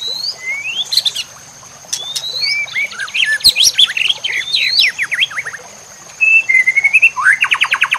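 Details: White-rumped shama song used as a master recording to train other shamas, set with nature sounds and trickling water: varied loud whistles, upslurs and sharp chips, a burst of fast repeated notes near the end, over a steady high hum.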